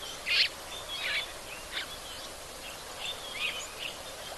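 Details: White-browed scrub robin calling at a waterhole, first taken for a Cape scrub robin: short, high, bright beep notes spaced irregularly, a few louder ones standing out over a steady hiss of background noise.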